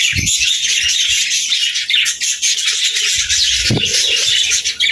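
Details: Budgerigars singing in a group: a dense, unbroken wash of high chirps, squeaks and warbling chatter from many birds at once, with brief low thumps near the start and end.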